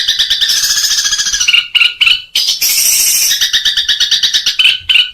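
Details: Long-tailed shrike in kuntilanak and gereja song styles with ngekek tembakan, recorded in 2021: rapid buzzy high chattering broken by brief pauses and clear piercing whistled notes near the end.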